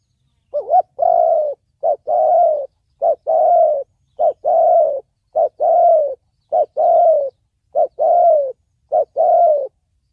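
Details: Spotted dove, 'thổ bầu' song style for luring and training decoys: a long, steady run of clean coo pairs, each a quick note then a sustained, gently falling one, about eight pairs in ten seconds.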